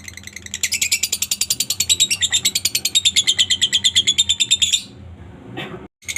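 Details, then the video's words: Lovebird lure call meant to get other lovebirds singing: a rapid, shrill, buzzy chatter repeated about three times a second for nearly five seconds, stopping abruptly, then a brief scratchy burst. "suara Lovebird yang satu ini sangat jago memancing Lovebird lain agar rajin bunyi"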